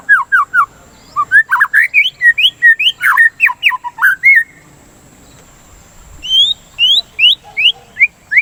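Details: White-rumped shama song for stimulating other shamas to sing: a rapid string of rising notes mixed with harsher chatter, a pause, then evenly spaced upslurred whistles.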